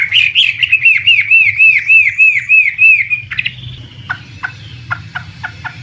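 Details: Loud rising-and-falling whistled notes from a Chinese hwamei, about three per second, then sharp scattered downward notes. The bird is an imported contest bird; a steady low hum sits underneath.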